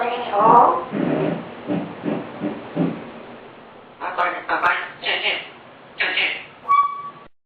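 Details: Grey parrot at lunch, refusing purple yam and repeatedly saying a Mandarin phrase asking how to eat it: a run of speech-like syllables, then brighter, higher syllables and a short whistled note at the end, indoors.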